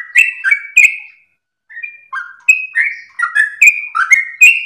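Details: Sooty-headed bulbul song for luring and training other birds. A quick burst of whistles is followed by a brief pause, then a rapid string of rising and falling whistled notes with sharp clicks.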